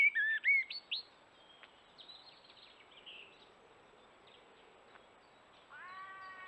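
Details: Common blackbird singing in the morning by a forest watering hole: a few loud fluted whistles in the first second, then faint scattered high notes, and a soft ringing tone near the end.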